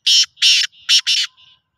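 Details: Harsh, grating call phrase from a black francolin: a short rasping note, a longer buzzy note, a soft link, then a quick harsh pair ending in a faint fading note, loud and close with a quiet background.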